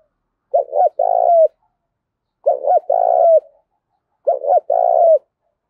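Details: Spotted dove calling hard in a contest, thổ mixed with đồng voice style: three clean phrases about two seconds apart, each of two quick notes and a long, throaty, trembling coo.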